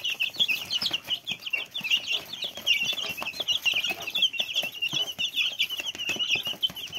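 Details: Little chicks cheeping in a constant high-pitched stream, many short, thin peeps overlapping throughout.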